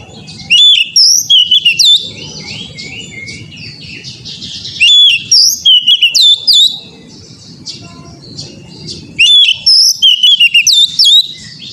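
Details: Oriental magpie-robin song used as training material so another bird will sing: loud, clear whistled phrases with sharp up-and-down sweeps, delivered in three bursts about four seconds apart, with quieter murmuring between.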